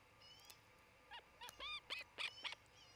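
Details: Nesting ospreys in Charlo, Montana, filmed by nest camera near midday, 27 June 2018: a sequence of about six piercing whistled chirps, spaced roughly a quarter second apart and growing louder.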